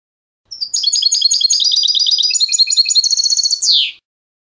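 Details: European goldfinch performing clean contest song used to school young goldfinches: swift series of sharp high tweets and liquid notes, a brief rattling trill, then a closing downward slurred note.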